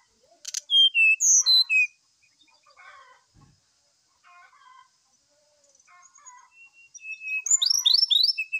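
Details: Morning song of a brown-chested jungle flycatcher, played as a lure to draw song from another bird. Bright whistled notes descend in steps at the start, soft chattering phrases follow, and a loud burst of slurred whistles closes.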